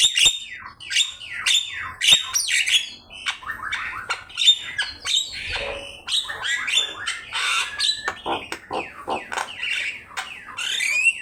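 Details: Javan myna singing on a training master recording: a long, dense stream of sharp clicks, downslurred whistles and chattering notes, almost unbroken across eleven seconds, with high ringing tones scattered through.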